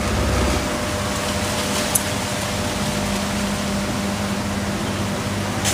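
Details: Steady mechanical hum with broadband hiss and a low droning tone, with no animal calls heard.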